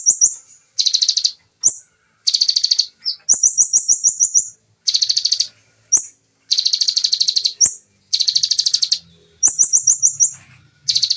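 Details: Bar-winged prinia in fast 'nembak' (shooting) song style: dense, rapid chattering bursts of very high buzzy notes, each lasting about half a second to a second, alternating with short sweeping chips and quick descending trills, with brief silent gaps between bursts.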